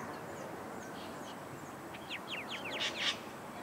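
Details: Common myna in Australia, one of several scouring a dried section of local wetland while puffing their chests and calling: a quick run of sharp, descending whistled strokes, then two louder bursts, over steady background hiss.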